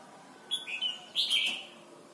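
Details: Thai red-whiskered bulbul song used to teach young birds: two quick clear whistled notes followed by a fuller, bubbling warbled phrase, all in rapid succession within about a second.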